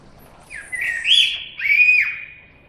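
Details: Common blackbird giving two clear, drawn-out whistled notes, the second sliding slightly downward, against quiet background hiss.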